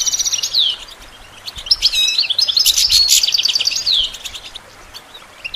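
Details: European goldfinch song, used for training songbirds: lively high twittering with repeated short notes, a loud buzzy trilled passage in the middle and sweeping downward whistles at either end.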